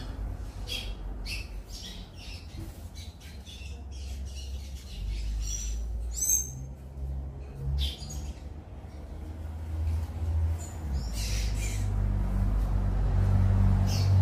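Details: At Pontal Verde, a tanager ("sanhaço") sings a quick, squeaky series of high chirping notes in short bursts, over a steady low rumble of wind or distant traffic.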